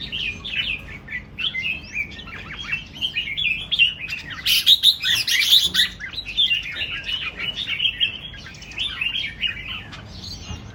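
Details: Red-whiskered bulbul song, a long flowing series of cheerful, slurred whistles and warbles, rich and varied, with a denser, brighter stretch in the middle and faint background hiss.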